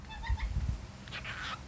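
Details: A pet male cockatiel gives a brief, reedy, speech-like mimicry of words over low handling rumble.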